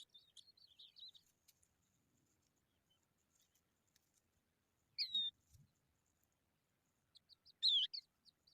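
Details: Skylark young in the sun call sporadically: a short cluster of high squeaks, then long quiet gaps broken by two louder, twisting high chirps.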